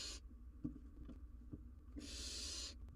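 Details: Young wild barn owl on a live cam trying to handle and swallow an oversized giant jird. A loud, rasping hiss opens the recording and a second drawn-out hiss follows, with faint taps and shuffling between them.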